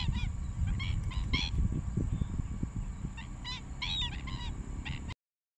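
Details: Young black-winged stilt in Rompin paddyfields, Malaysia, January 2023, giving clipped, nasal yapping calls in irregular bursts, clustered early and late in the recording, over steady low wind rumble; recording cuts off abruptly near the end.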